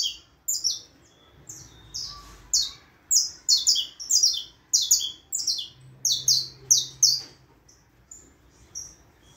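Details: Continuous saffron finch singing: bright, high chirps falling in pitch, grouped in quick doublets and triplets, with only a faint low hum in the background.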